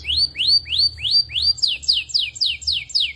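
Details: Belgian canary repeating long upward-sweeping whistles about three per second, shifting to downward-slurred notes, steady and loud.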